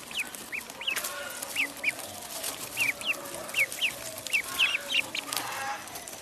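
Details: Duckling in a pond giving soft, high peeps, each a short arched note repeated irregularly about once or twice a second, over a steady hiss of background noise.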